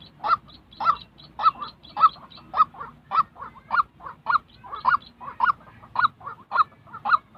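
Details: White-breasted waterhen, real call used to train decoy birds for trapping; rapid rhythmic series of harsh honking notes, each followed by a softer echoing note, repeating about twice a second throughout.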